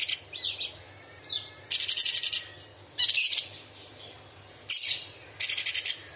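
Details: Straw-headed bulbul song used as a training recording, said to include imitations of small birds, large birds and insects: loud bursts of high, rapid pulsed trills alternating with short whistled slurs, with a steady low hum beneath.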